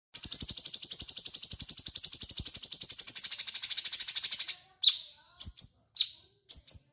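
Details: Actively singing cucak cungkok bulbul, a tutor song for magpie robins: a long rapid rattling trill of about four seconds, then several clipped, downward-sliding whistled notes, some doubled.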